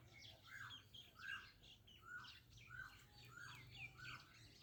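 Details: Ringneck parakeet making different sounds: a string of bright, chirping, down-slurred notes and whistles, repeated roughly every half second, over a faint low hum.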